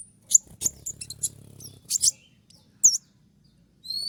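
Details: A konin, moulting and losing its feathers yet still singing vigorously, gives a 'tembakan' (shot) style burst: sparse, very high sharp chirps and quick downslurred whistles separated by pauses, over a low steady hum.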